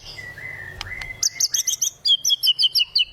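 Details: White-rumped shama (murai batu), an Indonesian competition songbird, in full continuous song showing off its repertoire, used to prompt silent birds: a long level whistle with sharp clicks, then a fast run of bright, high chirped notes repeated in quick series.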